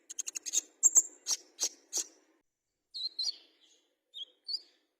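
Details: Olive-backed sunbird kept as a fighter-type songbird; rapid series of sharp high ticking notes, then sweeping thin chirps at a slower pace, sparse and bright.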